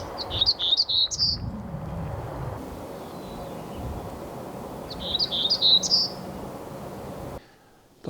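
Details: Black-throated Gray Warbler on Mount San Jacinto, Pacific Crest Trail, in a Jeffrey pine and montane hardwood-conifer mix near the upper end of its range. Two buzzy, high songs about five seconds apart, each a quick run of wheezy notes rising to an accented end.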